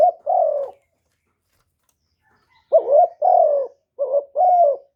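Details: Spotted dove used as a decoy, cooing in the 'one-ending' style that provokes wild doves; loud mellow two-note phrases, short upslur then longer sliding coo, a pause, then two phrases in quick succession.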